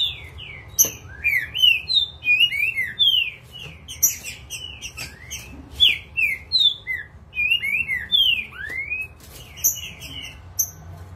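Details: Agitated green-winged saltator in full form, delivering a rapid, dense run of loud, clear whistled and slurred notes around 2-4k, with sharp clicks and high squeaky accents; faint low hum underneath.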